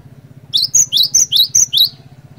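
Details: Gacor cinereous tit used as a lure to set other tits singing: six bright, rising whistled notes in quick succession, each sliding upward and ending in a sharp flick, over a steady low hum.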